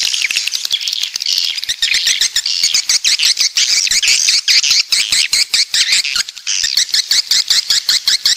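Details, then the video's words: Southern coastal swiftlets (walet pantai): rapid rattling clicks in quick bursts under loud, high chirruping chatter that never stops. "Suara Walet Pantai Dari Selatan"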